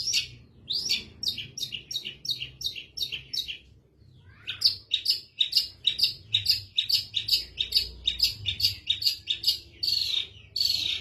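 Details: Long-tailed shrike, caged, singing hard once its cover is opened: rapid strings of clipped, harsh notes several a second, a brief pause near four seconds, then an even faster run.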